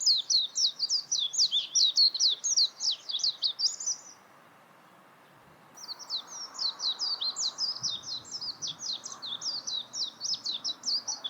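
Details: Warbling white-eye giving a fast, high twittering run of sharp zigzag notes for about four seconds. A short pause follows, then a second long warbling burst. Faint low background hum throughout.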